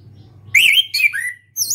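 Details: Young caged orange-headed thrush learning its loud open song, still shy but starting to sing often: two short clear whistled phrases, a rising then level slur followed by a descending slurred note, then a brief high note, over a low steady hum.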